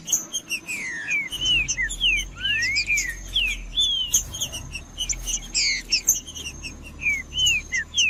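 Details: Trinca-ferro (green-winged saltator) in heated, male-provoking song: bursts of loud whistled slurs, rising and dropping glides repeated in rapid phrases, with sharp high chips between them and a steady thin high tone behind.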